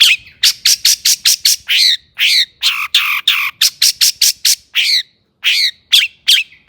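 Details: Long-tailed shrike singing excitedly to provoke other shrikes: a fast, steady string of harsh rasping notes with some buzzy chevron-shaped phrases, more than two per second, broken by short pauses.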